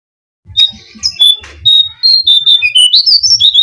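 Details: Lure song of the brown-cheeked fulvetta for attracting birds: a quick series of bright whistled notes, some level and some swooping, alternating pitch and rising toward the end, with faint low thumping beneath.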